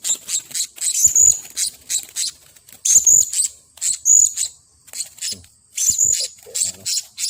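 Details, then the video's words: Angry blue-crowned hanging parrot after being lured, uttering high-pitched sharp squeaky notes in irregular short bursts with brief pauses between them, plus faint low background sounds. "Burung Serindit Marah"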